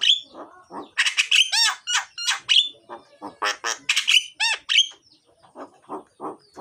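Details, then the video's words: Myna in full, loud, varied song used to lure lazy mynas into singing: a rapid jumble of harsh squawks, buzzy notes and looping whistles, with lower rasping notes between bursts. "suara jalak gacor,isian dan keras, cocok buat pancingan jalak yang malas bunyi."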